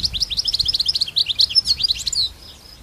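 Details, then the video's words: Wild European goldfinch singing in open countryside: a fast, tumbling twitter of bright, high chirps and slurred notes packed together for over two seconds, then fading, with a thin steady high whine behind. "تغريد طائر حسون خلوي سوفاج في برية"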